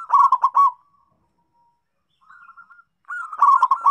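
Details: Local zebra dove (perkutut), recorded as a lure sound for a dove that rarely sings: rapid burry, trilled cooing bursts, then a soft short coo and another rolling burst after a pause.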